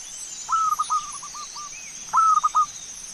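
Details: Zebra dove song used as a lure to prompt singing: two short phrases of stuttered, mid-pitched cooing notes, each opening with a sharp accented note and tailing off, over a steady background hiss.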